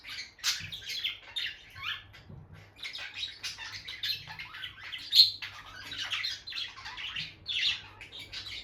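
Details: Bonded pair of peach-faced lovebirds kept as pets near their nest box, the female going in and out, giving scratchy, high chattering chirps and squawks in irregular bursts, with no talking or music.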